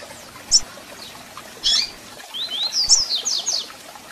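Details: Double-collared seedeater calling and singing to warm up a captive bird: a sharp chip, a louder buzzy call, then a short rapid run of high slurred whistles, over light hiss and clicks.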